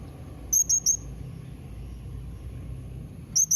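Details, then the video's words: Blue-crowned hanging parrot giving a call meant to get other parrots answering: a fast run of three shrill, very high squeaks, a long pause, then two more, over faint low hum. "Kombinasi Suara SERINDIT MEMANGGIL NEMBAK Mbeset Seperti ni Jadikan Srindit Anda Nyaut Tambah GACOR"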